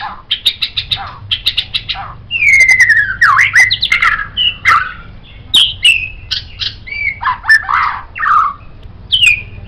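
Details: White-rumped shama song for training songbirds: a string of quick chattering bursts, then varied whistled phrases with sliding, falling and looping notes, rich and mixed.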